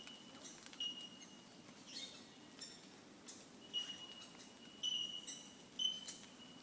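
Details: Bell miners on the Mount Coot-tha bell bird hiking track, Brisbane, Australia, giving clear, ringing single 'tink' notes at a steady high pitch, about once a second, with faint crackles and rustling behind.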